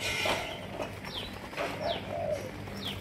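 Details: Several low, mellow coo notes from captive Malaysian spotted doves, with three high, sliding descending chirps from other birds and a constant low background hum.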